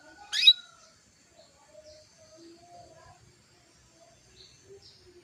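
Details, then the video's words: Female canary calling to stir a male into breeding mood so he starts singing: a single sharp, rising, buzzy call near the start, followed by faint thin whistles and soft chirps of other birds in the background. "PANCINGAN KENARI BETINA MEMANGGIL JANTAN"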